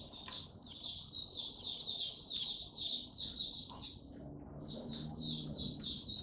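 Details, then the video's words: Oriental white-eye singing 'tiong aw' on 25 January 2022 after a late night: a fast, continuous stream of high slurred twitters, one loud piercing note, then a brief pause before the warbling resumes. "Mata Puteh Hercules V2 buka tiong aw sing"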